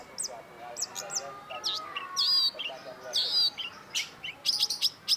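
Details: Long-tailed shrike (cendet) singing a busy, varied phrase: quick high chirps and ticks, wavering whistled notes and a few wiry trills tumble together, with a faint lower whistle drawn out beneath.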